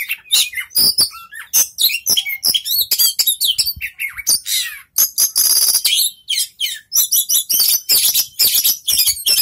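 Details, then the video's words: A young, competition-winning Oriental magpie-robin sings a loud, fast, varied run of sharp whistles, chattering trills and harsh buzzy notes with barely a pause. "kacer "raja tega" muda tapi kejammm"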